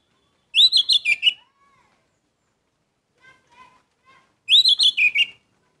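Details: Gacor song of an orange-headed thrush, said to boost emotion: a quick series of six rich, warbled whistles, a few faint soft lower notes in the gap, then the same bright phrase again.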